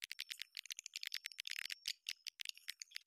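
Swiftlets give dense, dry chattering clicks and buzzy twitters in rapid bursts over a thin, steady high tone.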